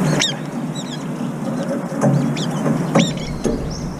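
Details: Brown-eared bulbuls fighting in the air over a food dish while feeding, giving several short, shrill, squeaky calls at irregular moments over a steady low rumble.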